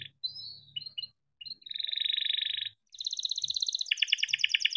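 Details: Domestic canary singing a long rolling song used to stimulate other canaries: whistled notes, then extended fast pulsed trills at two pitches, with faint low murmuring behind.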